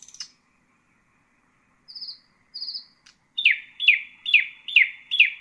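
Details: Nightingale song for training young birds: a sharp high click, two thin high trilled whistles after a pause, then five loud downward-sweeping notes repeated at an even pace, about two per second.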